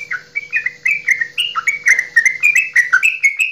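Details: A Javanese straw-headed bulbul gives a long bubbling "goklikan" song, meant to spur other kept bulbuls to sing: a rich run of loud whistled notes, rising and falling about three times a second with barely a pause.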